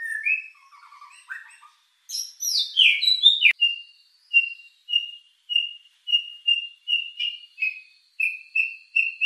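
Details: White-rumped shama lure song with a rich filling, meant to stir emotion and breeding drive: varied fluting whistles and slurred notes, then a clear whistled note repeated about every half second, with no other sounds.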